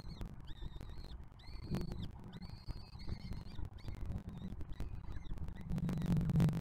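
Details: Young peregrine falcons at a museum nest box during feeding by an older juvenile sibling from the previous year's brood; rapid series of short and longer high-pitched squealing calls with rough harmonics, over steady low rumble and a few knocks.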